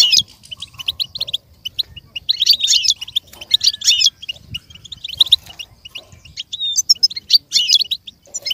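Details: Training song of a goldfinch for learning and imitation: bursts of rapid high twitters with brief quieter gaps, denser buzzy flourishes around the middle and near the end.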